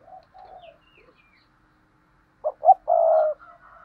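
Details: Spotted doves cooing as a pair. Soft, distant coos open the recording, then a near bird gives two short notes and a long, steady, hollow coo. Faint higher chirps are also heard.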